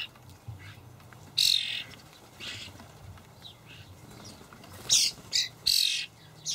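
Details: Fledgling common starlings begging from feeding parents in a Hamburg allotment garden in May 2012: one harsh screech, a quiet gap, then three rasping bursts close together near the end, over a steady low hum.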